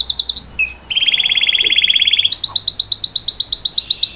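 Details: Singing salsa canary, performing to teach its youngster the song: quick high notes give way to a long low buzzy roll, then a bright, evenly spaced trill of rising-falling notes.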